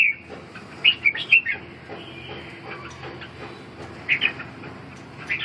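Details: Red-whiskered bulbul giving brief bright whistled phrases, a quick run of three or four notes early on, then a softer gap, with another short burst later and a final note at the close.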